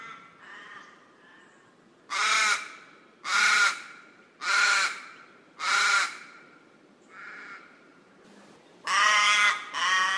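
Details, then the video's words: Raven from the Australia, Oceania and Southeast Asia region giving a series of harsh, hoarse caws, loud strokes spaced about a second apart with a brief pause, then a fainter pair and two closing caws. "Ворон. Австралия. Океания. Ю-В Азия. Голоса птиц"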